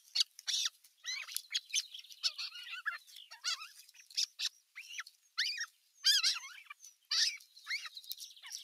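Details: Osprey chicks at nest #1 squabbling on 15 June 2023 while an adult watches; steady chorus of shrill, overlapping squeaks and wavering whistles, continuing with little pause throughout.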